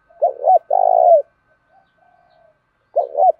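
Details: Spotted dove used as a lure for wild birds, giving a phrase of two hooked notes and a long buzzy falling coo, soft quiet coos, then the start of the next phrase.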